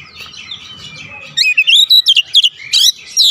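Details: Oriental magpie-robin song used as a lure to make birds react quickly, sing fully and reveal their mimicked notes: after a quiet start, a burst of rapid, clear whistled notes that rise and fall, delivered in quick successive bursts.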